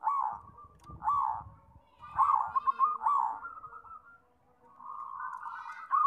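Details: Zebra doves in lively song: rounded coos and a fast stuttering pulsed phrase, then a softer sustained cooing passage, with faint low rumbling in the background.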